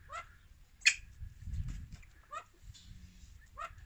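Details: Captive yellow golden pheasant in breeding season, the male trying to impress the female, gives four short, harsh, rasping calls spaced a second or so apart over a low background rumble.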